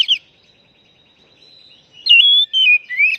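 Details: White-rumped shama call for rousing a silent, stressed bird: a brief sharp chirp, a faint thin steady whistle, then loud wavering whistled notes sliding between about 2 and 4k.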